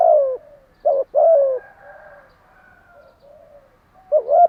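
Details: Spotted dove kept as a cage bird, morning song: a falling coo, then a doubled coo phrase, a pause filled with faint other birds, and the start of another phrase.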